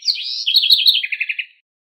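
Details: A house wren's teaching song for its chicks, already underway: a busy high warble breaks into a neat sequence of about six lower repeated notes, then silence.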